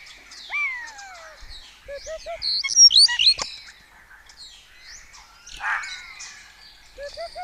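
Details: Colony starlings at dawn in Cabañeros National Park, Spain, mimicking other birds; a pair of slurred whistles, then quick triplets of short rising notes, sharp squeaks and rasping chatter, with the triplet motif returning at the end.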